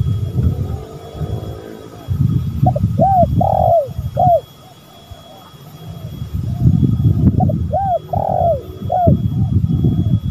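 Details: Male and female spotted doves calling: two bursts of repeated arched coo notes, each phrase ending in a longer, louder coo, with dense low-pitched rumbling noise filling the gaps.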